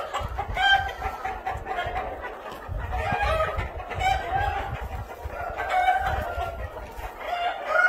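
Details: Cream Legbar chickens in one of several pens at a hatchery: a busy overlapping chorus of clucks and short harmonic calls from many birds, swelling and fading in waves, with low rumbling background noise throughout.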